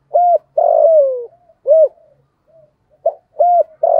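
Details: Thổ-voiced decoy spotted dove calling to lure other doves; a rounded coo, a long coo gliding lower, another rounded coo, a soft pause, then a fresh phrase starting with clipped notes and mellow coos, clean background.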